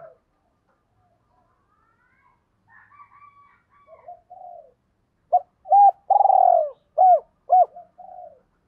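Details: Spotted dove lure recording used to make wild males coo back: soft quavering coos, then a burst of loud, low hooting notes, four or five bold coos in quick succession near the end.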